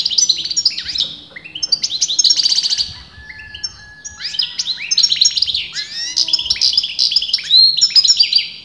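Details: Continuous song of a European goldfinch, a bird breeders dispute as male or female: rapid chattering run of sharp, high, liquid notes and buzzy trills, briefly easing off mid-phrase before resuming brightly.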